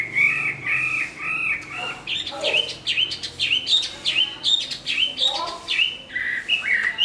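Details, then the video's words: Chinese hwamei, large-bodied, praised for singing and fighting, finishing its moult; several repeated arched whistles open, then a fast sequence of sharp, varied whistled notes with quick upward and downward slurs. "Họa mi bộ to hót tốt"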